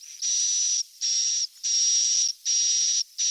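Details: Young swiftlet calls used to attract swiftlets to stay: five drawn-out hissing buzzes carrying a fine high whistle, repeated at a steady pace with brief pauses between them.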